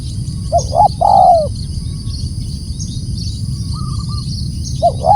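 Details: Loud spotted dove call: two brief coos and a longer descending coo, then a quiet gap with faint distant higher notes before the next phrase begins; low steady background noise throughout.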